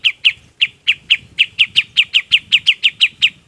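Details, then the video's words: Golden-bellied gerygone, song recorded to train other birds: evenly spaced, clear, high descending whistles, about four per second, ringing on without a break. "SUARA KAPAS TEMBAK BUAT MASTERAN BURUNG LAIN PUN IKUT"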